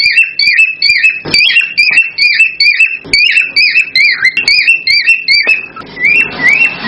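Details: Cockatiel mating sound meant to trigger breeding: quick succession of rising whistled notes with crisp clicks, repeated about twice a second, cut off at the end by a rushing noise burst.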